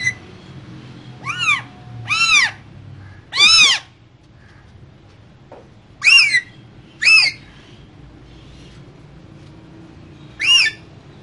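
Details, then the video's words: Two green parrots kept in a cage call with six harsh, ringing squawks at uneven intervals, some in quick pairs, with quiet gaps and faint room hum between. "Two Green Cute Parrots Talking In Cage So Cute"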